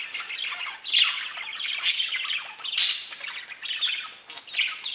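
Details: Chirping from pet budgies: steady overlapping warbling chatter punctuated by loud, scratchy squawks and high squeaks at irregular intervals of about a second.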